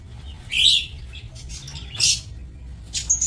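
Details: Shrill, harsh chirps from aviary lovebirds on 27 March 2024, three separate bursts spaced about a second and a half apart against a quiet low rumble.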